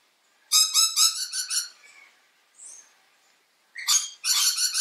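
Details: Mitchell's lorikeet calling loudly, as both sexes do often: rasping, buzzy screech bursts of quick pulses, a faint squeak in a pause, then another harsh volley.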